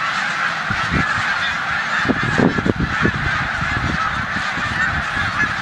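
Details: Snow geese flock in a corn field on Olmstead Road, Savannah, New York, 14 March 2020, before migrating north, Canada geese present; continuous high honking chorus over low thumping rumbles and wind buffeting.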